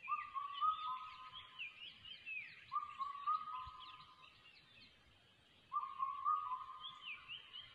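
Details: Changeable hawk-eagle chick repeating long wavering whistled phrases, three bouts spaced a few seconds apart, with higher chirping notes and light background noise.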